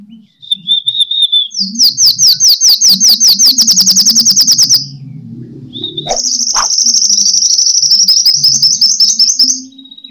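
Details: Sunbird giving its fighting song, used to lure and train birds. Two long bursts of very fast, evenly repeated high chips, each lasting about three seconds, with brief twittering between them and a constant low droning hum.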